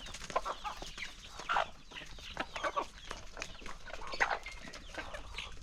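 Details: A flock of hungry chickens gathers at a morning feeding in the countryside. Short clucks and squawks overlap throughout, with sharper louder calls near the middle and end, over a low background rumble.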